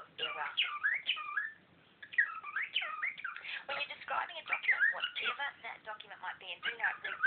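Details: Cockatiel kept as a pet, talking over a lecturer: dense warbling chatter of bent whistles and scratchy syllables that runs almost unbroken, with a brief pause near two seconds, mixed with a man's lecturing voice.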